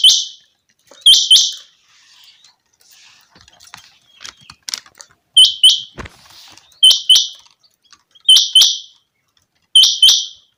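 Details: A changa quail (chinga batair), a type used for hunting, gives sharp, high, buzzy notes in quick pairs, each pair repeated every one to two seconds, with faint clicks and rustling between.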